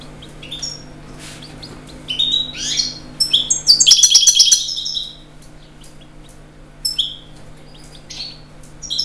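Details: European goldfinch song of high twittering bursts, building to a dense, buzzy rattle of notes in the middle, then sparser chirps and whistles, over a faint steady hum.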